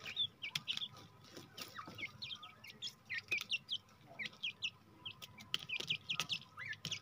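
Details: Grey francolin, a jungle partridge set free from captivity, giving rapid bursts of short, sharp, high downward-slurred chirps that cluster irregularly across seven seconds, with sharp clicks and tapping noises throughout.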